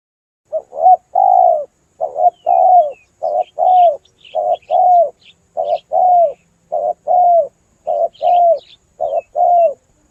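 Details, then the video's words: Spotted dove for bird luring, cooing phrases in quick succession: short and long hollow coos repeated steadily, with faint high chirps of other birds in the background. "Suara burung tekukur jernih lebih ampuh buat pikat"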